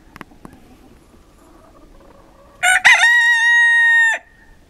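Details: Pavlovskaya rooster crowing in a Siberian winter at Barnaul, Altai, on November 28, 2015: after a few faint clicks, one loud harmonic cock-a-doodle-doo lasting about one and a half seconds, rising briefly, then held level before stopping abruptly.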